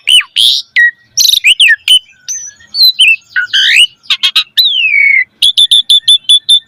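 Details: Varied song from an Asian pied starling, played as a lure for training caged birds: squawky harsh notes, twisting whistles, a long falling whistle, then a quick series of short repeated chips.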